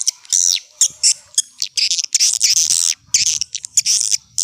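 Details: Old-style swiftlet lure call for drawing birds in: short bursts of high, harsh twittering and chirps separated by brief pauses, with faint low noise in places.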